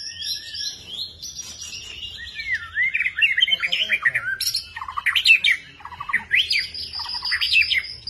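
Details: Long-tailed white-rumped shama, a kept songbird fed crickets and ant larvae, giving a varied song of steady high whistles that break into a rapid tumble of slurred, chattering and rising notes, richest in the middle.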